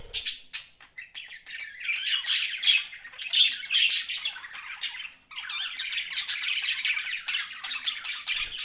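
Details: Pet budgies chirp and warble continuously, a scratchy, buzzy stream of rapid notes broken by one short pause halfway.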